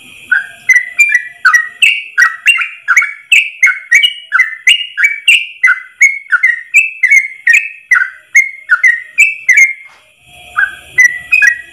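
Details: Long one-breath ropel phrase of a yellow-vented bulbul, used to train caged trucuk: rapid bubbly whistles stepping up and down for about ten seconds, a brief pause, then the notes resume.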